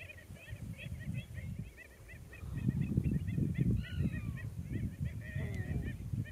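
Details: Flock of Andean flamingos in the Atacama Desert giving rapid, overlapping goose-like honks and chattering notes, with an occasional longer drawn call, against a strong low wind rumble.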